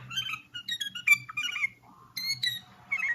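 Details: Common bulbul singing: bursts of rich, warbled whistled notes, some sliding and some stacked and bright, broken by short pauses, with a steady low hum underneath.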